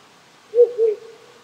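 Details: Cold spring-onward night in rural Japan, a shy wild owl on a hill behind the house: two closely spaced, deep, smooth hoots fading into a faint drawn-out tail, stream hiss behind.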